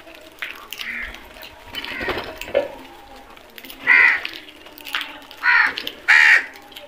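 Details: Crows caw repeatedly, with softer calls early on building to three loud, raspy caws close together near the end, over a steady background hum.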